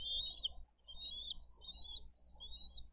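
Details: At a Dade County bald eagle nest camera, 22 April 2023, during a fish delivery and feeding of eaglets; thin, high rising whistles and squeals in three or four separate phrases, with a soft background hum.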